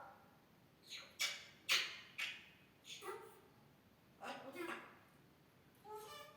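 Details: Grey parrot imitating a human, talking and coughing: a run of sharp, breathy cough-like bursts and brief voiced syllables with rising harmonics, spaced about half a second to a second apart over light background hiss.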